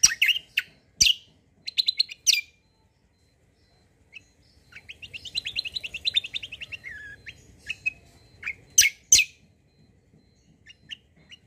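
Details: White-eye (kecial kombo) lure song meant to draw replies from other birds. A few sharp chirps open, then a long rapid twittering trill runs for about three seconds, followed by more scattered high chirps.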